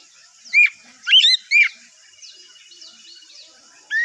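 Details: Morning Oriental magpie-robin song used to lure other birds to answer: a few bright, sharply slurred whistles in quick bursts, then a quiet stretch of faint thin notes before another rising whistle at the end.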